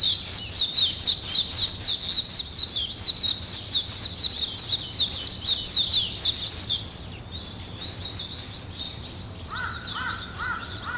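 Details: Morning birdsong: a dense chorus of high, rapid chirps and twitters runs continuously, and a short series of lower, repeated notes comes in near the end.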